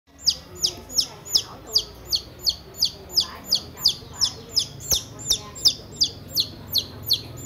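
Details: A lost chick that strayed into a house gives loud, high, downward-sliding peeps, about three every second in a steady run, with faint background noise and a couple of soft knocks.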